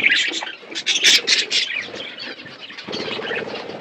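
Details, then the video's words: Budgies in an outdoor aviary, eating seeds: a few loud, scratchy chirps and squawks early on, then softer twittering chatter fading into a low background murmur. "My beautiful budgies eating seeds in my natural outdoor aviary"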